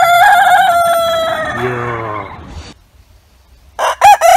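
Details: One long rooster crow holds a strong, nasal, harmonic tone that slowly fades and wavers downward over more than two seconds. After a quiet pause, the choppy, rising opening of another crow breaks in.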